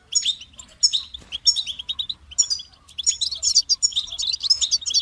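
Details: A goldfinch sings in a fast, liquid jumble of high chirps, twitters and quick slurred whistles, with nearly continuous phrases that grow denser toward the end; a soft low background hum.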